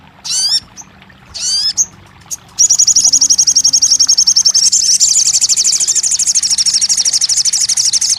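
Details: Crested jay, meant to get a silent bird singing: two separate bursts with steep rising whistles, then a sustained rapid high-pitched rattle continuing to the end.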